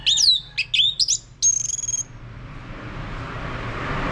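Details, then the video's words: Ngeplong-style lure of an orange-headed thrush for prompting a male to sing. Looping high whistles are followed by a thin, buzzy trill. Hissing background noise fills the rest. "Mainkan Video Pancingan Ini Agar ANIS MERAH Mau Berbunyi Ngeplong Kalau jantan ya."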